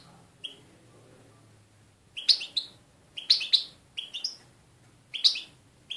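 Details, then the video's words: Goldfinch in Voronezh, Russia, giving short high chirping phrases, each a few quick bright notes, repeated about once a second after a quiet start. "Щегол. Красивое пение щегла"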